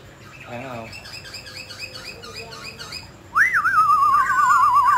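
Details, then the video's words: Mutant grey laughingthrush in song: soft repeated looping notes at first, then a loud burst of an upslurred whistle followed by a rapidly warbling, wavering trill. "Chú chim khứu xám tro đột biến hót múa cực đẳng cấp"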